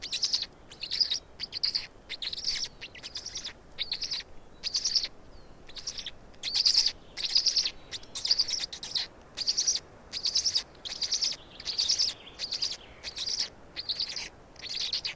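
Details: Black storks in Estonia at feeding time, 16 May 2019 at 16:58: high, wheezy chirping bursts repeated steadily, about every second, with short silent gaps and faint background hiss throughout.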